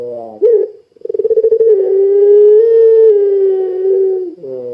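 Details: Ringneck dove of the puter pelung kind, cooing keenly as a lure for other doves: a brief buzzy tone, a sharp note, then a rapid pulsed roll that runs into a long, even, low coo, ending on a buzz.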